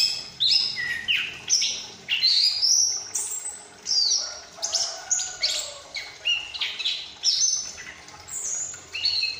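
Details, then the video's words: Caged juvenile Chestnut-capped thrush from Malang, past the spotted stage, in active ngriwik practice moving toward ngeplong song; rhythmic bursts of bright whistled and slurred high notes, about one every second. "Anis Kembang Ngriwik Lepas Trotol mulai ngeplong"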